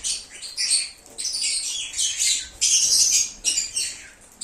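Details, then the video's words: Lovebirds singing, meant to call back an escaped lovebird: harsh, high, buzzy squawks and screechy chirps run almost without a break, the loudest burst near the middle. "SONIDO DE AGAPORNIS. Reclamo ,cómo canta un Agapornis o INSEPARABLE."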